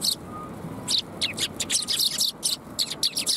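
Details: Flock of sparrows at a Tenmangu shrine, 21 January 2022 in the afternoon, chirping almost continuously in rapid high, overlapping notes, light distant hum beneath.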